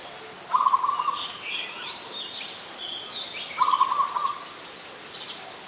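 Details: Adult zebra dove in Ubon Ratchathani, Thailand, 21 September 2022: two rapid, trilled, staccato cooing phrases about a second long, roughly three seconds apart, with thin high chirps and whistles from other birds behind.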